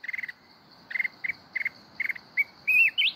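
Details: Red-whiskered bulbul from the mountains in kít bổi forest-voice song: rapid rattled chip bursts repeated about every half second, ending in loud looping whistled notes that rise at the close, with a steady high background drone.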